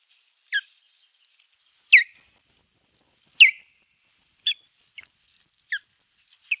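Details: Nest-camera recording from 21 April 2023 of an osprey defending its nest from an intruding osprey: loud, clear whistled notes, each dropping in pitch, given singly about every second against a quiet background.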